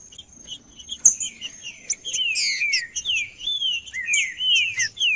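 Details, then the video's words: Green-winged saltator male in 'macheando' song to provoke rival males: soft chips at first, one sharp click, then a steady stream of falling whistled slurs and bright high notes, over a constant high tone. "Trinca-ferro Macheando com Trinca ferro cantando Para Esquentar Trinca ferro"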